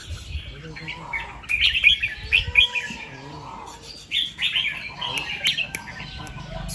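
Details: Red-whiskered bulbul singing at daybreak in the 'double 2-3' and 'rik' styles: two groups of clear sparkling notes separated by a quieter gap, with faint lower whistles and chirps from other birds.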